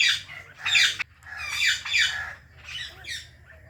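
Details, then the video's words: Pet ringneck parrots, an Indian ringneck with a blue companion: four loud grating squawks with harsh harmonic bands, separated by short pauses, little else audible. "Our Blue Ringneck Parrot | Natural Parrot Chirping Sounds and Voices"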